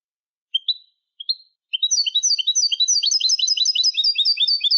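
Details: Song of a European goldfinch, played to tutor young birds: two short rising call notes, a pause, then a dense, fast twittering stream of bright, tinkling notes that runs to the end.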